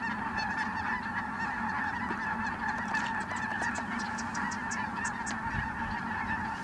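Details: Ross's geese arriving in flight over Merced National Wildlife Refuge on 22 December 2017. A steady wall of overlapping yelping honks from many birds, with a few sharper, higher notes standing out near the end.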